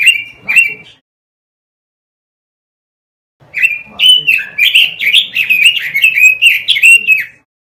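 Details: Caged-bird training recording of robin song: two short whistled notes, a long silence, then an energetic warbling phrase of rapid, sliding, fluty notes.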